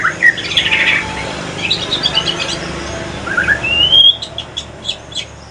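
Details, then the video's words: White-rumped shama of the Aceh pastol type, male, giving scratchy warbled phrases, then a clear rising whistle and a few sharp high ticks over a steady background hiss. "Kicauan sore hari murai mutasi ke pastol si paling cerewet"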